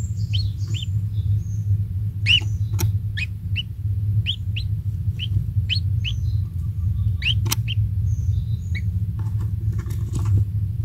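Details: A single kingfisher chick at its nest, being fed insects by a parent, gives short sharp high chirps, about a dozen spaced irregularly over eleven seconds, over a steady low rumble of wind or handling noise.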